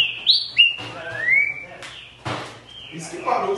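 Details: Green-winged saltator song: clear whistled notes around mid-high pitch, a short upward flick, then a long rising slurred whistle, interrupted by two broad noisy bursts and ending with a lower chattering rustle.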